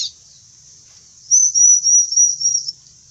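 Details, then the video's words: Bar-winged prinia, described as a fierce singer, giving one thin, very high trill of even, fast pulses lasting just over a second, with a faint low hum beneath and otherwise quiet surroundings. "CIBLEK/CANCILAK GARANG"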